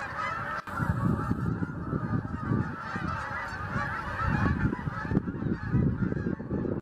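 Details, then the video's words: Migrating Canada geese calling together, a steady chorus of overlapping nasal honks from many birds without pause, over a low rumbling background. "Canada Geese Migration Time"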